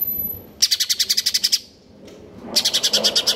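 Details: Greater green leafbird in stable condition, singing in the konslet kejer nembak style: two bursts of rapid, evenly pulsed high chattering notes, about a dozen per second, separated by a short quiet gap.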